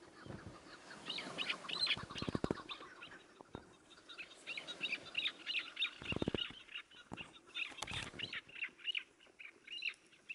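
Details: A tethered partridge used in partridge hunting gives quick, repeated chattering calls, several a second, with harsh rising notes, while loud thumps and bursts of handling noise cut in now and then.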